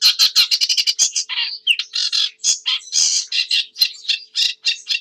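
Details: Sedge warbler singing a fast, chattering song: rapid runs of dry, scratchy notes, a few buzzy slurred phrases and varied harsh chirps, delivered almost without pause.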